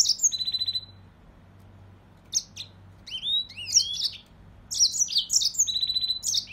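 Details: Mozambique serin giving a high twitter followed by a dry buzzing trill, a pause, then rising slurred whistles and a rapid, sweet warbling phrase with another brief buzz; low hum in the background.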